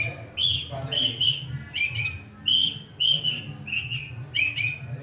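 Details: Long-tailed shrike (cendet) mimicking other birds: clear whistled notes, some slurred and doubled, in short irregular phrases with brief pauses, over a low background hum.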